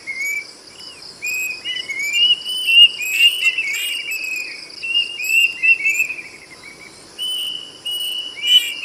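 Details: Plaintive cuckoo singing long chains of whistled notes that swoop up and down, rising and falling in loudness, over a continuous high insect hum.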